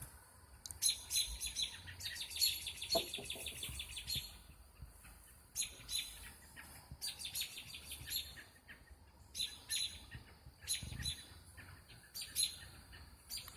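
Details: Birds chirping at night, around 8:16–8:20 pm on Saturday 29 April 2017 under the moon, sounding like dawn; recordist suspects they sense something coming. Quick, high twittering bursts in clusters every couple of seconds, faint low rumble between.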